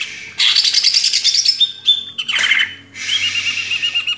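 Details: Greater green leafbird song used as a master recording for training cage birds: a dense, rapid, high-pitched stream of chattering, twittering and whistled notes, with a brief pause around the middle before the torrent resumes.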